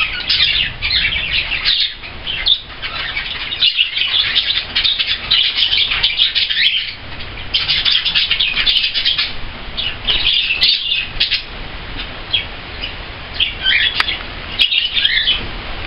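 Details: Budgerigar (Melopsittacus undulatus) that has become taken with a cockatiel chatters in a steady stream of quick, scratchy chirps and warbles.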